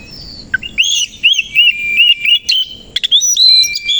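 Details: Kacer koci, the Oriental magpie-robin, in energetic morning song with its tail spread: a series of repeated rising whistles about every quarter second, then varied high ringing phrases.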